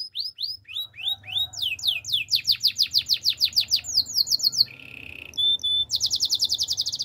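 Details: Male canary singing: rapid series of downward-sweeping whistled notes, about three per second, switching to a buzzy trill and steady pure whistles, then quick high repeated syllables.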